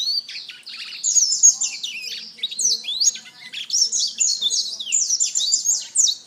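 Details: Black-throated canary singing a fast, continuous warble of high sweeping whistles and rapid twittered notes, sliding up and down, with brief trills run together over about six seconds.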